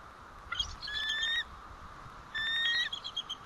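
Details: At the White Rock nest on the morning of 1 April 2012, a bald eagle alerts as the male returns: two short phrases mixing a sustained whistled tone with quick, high, stuttering chitters, separated by a brief pause.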